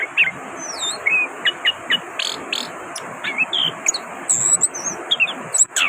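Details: Orange-headed thrush singing vigorously on a Friday: varied whistled and slurred phrases, some rising and falling sharply, others short chirps and very high thin notes, delivered in quick bursts over a steady high hiss.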